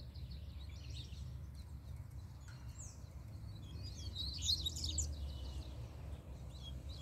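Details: High, quick chattering bursts from a free double-collared seedeater, with short chirps and a louder, tumbling flourish partway through. The song is set against a continuous low rumble of background noise.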